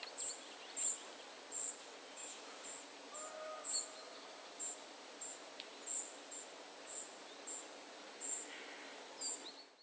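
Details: Spotted flycatcher family calling with sharp, high-pitched brief notes about every half second, irregularly spaced, plus a faint lower tonal sound midway over soft ambient noise.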